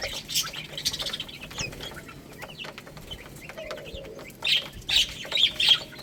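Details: Baby chickens eating rice: scattered high, thin chirps, bunching into a run of loud peeps near the end, over constant sharp pecking clicks.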